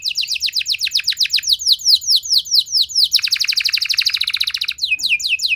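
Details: Canary singing to provoke a fast answer from other canaries. A steady series of downward-sweeping whistled notes runs into a long, dense rolling trill, ending with a few more swoops.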